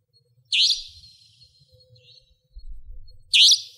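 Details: Near homes in Pingtung County, Taiwan, a Savanna nightjar, a nocturnal resident bird, gives two loud, rasping, high notes roughly three seconds apart, with soft low rumbling between them.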